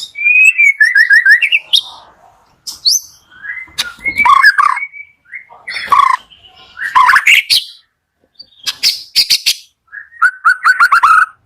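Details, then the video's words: White-rumped shama morning song for stimulating shamas slow to sing: bursts of descending whistled notes, harsh chatters and clicks between phrases, closing with a run of repeated whistles. "PALING EFEKTIF DI PAGI HARI UNTUK PANCINGAN MURAI MALAS BUNYI"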